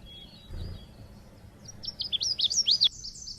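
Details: Oriental white-eye (pleci) lure sound used to prompt cage birds to sing in Indonesia: quiet opening, then a quick run of high sweeping chirps, rising and falling, about four per second.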